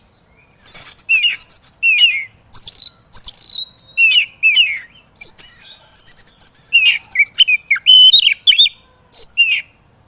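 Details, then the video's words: Oriental magpie-robin (kacer) in an 'emosi' style training recording meant to spur lazy birds into song: rapid series of sharp, high whistled and buzzy phrases with downslurred notes, short bursts separated by brief gaps, continuing steadily throughout. "MASTAERAN BURUNG KACER EMOSI"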